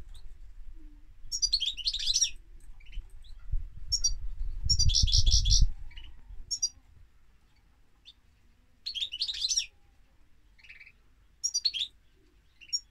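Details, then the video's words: European goldfinch delivering scattered high twittering phrases and single chips over several seconds, with a loud low rumbling thud in the middle and quiet gaps between bursts. "Goldfinch Singing - Cantec de Sticlete - Chardonneret"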